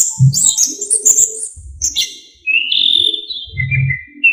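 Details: Orange-headed thrush singing energetically with a full isian style, used as a master recording to train other songbirds: high varied whistles and slurred notes, with low dull thumps underneath.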